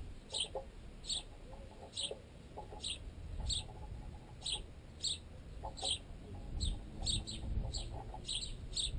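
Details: Sparrows, including flying young still fed by their parents, feed on baguette wedged in a tent guy line. Clear, sharp chirps repeat steadily, roughly every half second, with scattered knocking pecks throughout.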